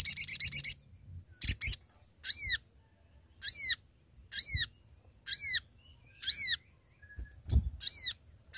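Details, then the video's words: Sooty-headed bulbul calling companions, a recording used to lure birds for trapping: a quick rattling burst opens, followed by harsh, descending, slightly buzzy notes repeated about once a second, with soft clicks beneath. "Sogon Gacor Memanggil Teman"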